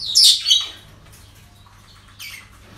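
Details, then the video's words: Parrots at a breeding centre on an ordinary day, giving harsh high squawks in two bursts, one loud at the start and another shorter near the end, with quiet room hum between. "Relajación Loros En El Centro De Cría"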